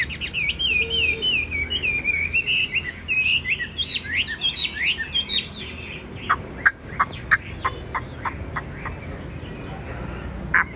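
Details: A caged, tame Chinese hwamei, yellow-legged and yellow-billed with a big voice, warbles a fast, twisting run of whistled phrases for about five seconds, then pauses among scattered sharp clicks.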